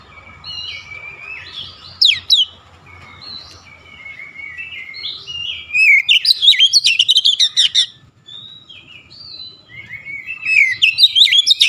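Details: Oriental magpie-robin (kacer) in 'nembak' shooting song, unloading its repertoire: sweet whistled slurs and phrases, then a burst of rapid sharp repeated notes near six seconds, closing with more loud whistles.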